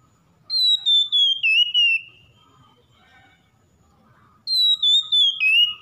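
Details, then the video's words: Oriental magpie-robin song played as therapy to get a stressed bird that has stopped singing to sing again: two bursts of clear, high whistling, each a run of about five quick pulsed notes sliding downward, separated by a quiet pause of over two seconds. "TERAPI KACER setres macet malas bunyi langsung GACOR"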